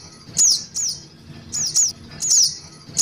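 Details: Calls of a young Little Spiderhunter, played to lure birds: a few high, sharp, falling chips in loose pairs separated by short pauses, with soft low hum behind.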